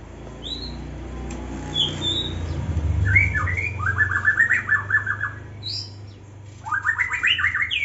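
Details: An aviary-kept young white-rumped shama in Indonesia gives a few thin high whistles, then bursts of rapid rattling trills, with a low rumbling background noise in the middle of the recording.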